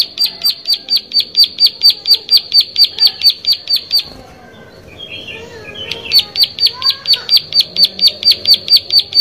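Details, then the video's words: Plain prinia singing: a fast run of sharp, high ticking notes, about two per second, stops for a short gap with faint other chirps, then resumes at the same steady pace. "Prenjak Sawah Gacor"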